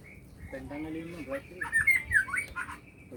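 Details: Magpie-robin in full song at a Neipu plantation, a quick run of varied whistles and squeaky twisting notes rising in intensity, with lower warbled tones at the start.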